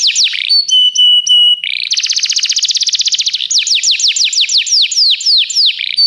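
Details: Training song of a canary. One falling sweep and three flat whistled notes lead into a fast pulsing trill, which ends in a quick series of about a dozen downward-slurred whistles.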